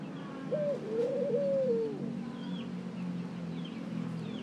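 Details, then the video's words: A single ring-necked dove call, a brief higher opening note sliding into a drawn-out, gently undulating coo, against faint background birdsong. "Ring neck Dove Calling"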